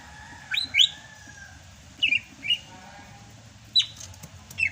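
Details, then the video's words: Sumatran greater green leafbird singing vigorously in the rainy season: sparse, sharp whistled notes, some rising, some slurred down, in short bursts separated by pauses, over a quiet low background hum. "MUSIM HUJAN CUCAK HIJAU SUMATRA MASIH BISA GACOR"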